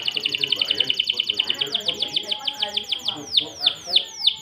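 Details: Canary singing in the Indonesian "cengkok mewah" style: a rapid, even trill of about twenty repeated bright notes, then slower, loud whistles that sweep sharply downward, spaced about a third of a second apart.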